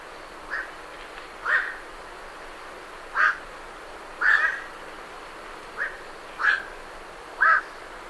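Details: Night herons leaving their roost at medium close range: roughly eight short, hoarse croaks, some coming in pairs, spaced about a second apart against a faint hiss.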